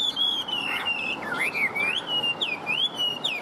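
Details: Caged Chinese hwamei, a songbird described as in fiery form, pours out a continuous loud whistled song of gliding, dipping and swooping notes with no pauses.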